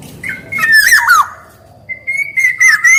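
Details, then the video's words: Black-naped oriole, male and female voices, prolific singer, with clear flute-like whistles wavering and dropping, a pause, then a long steady whistle with buzzy overtones. "SUARA KEPODANG EMAS GACOR"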